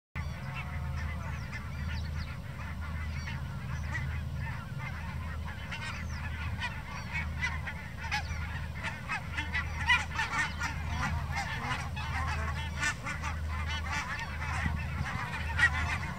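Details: Flock of barnacle geese in the Elbmarsch near Pinneberg, Germany, May 2024, yapping continuously in short, high, overlapping barks over a low rumbling background.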